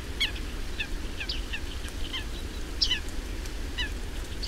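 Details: Bearded reedlings feeding on reed seeds give short, nasal, metallic 'ping' notes, scattered irregularly several times a second, over a steady low rumble of wind.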